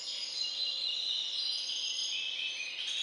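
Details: Hybrid finch descended from a Balkan goldfinch, kept in a breeding aviary, gives a steady high twittering trill, closely packed notes blurring into a continuous bright ribbon of sound, with a faint hum below.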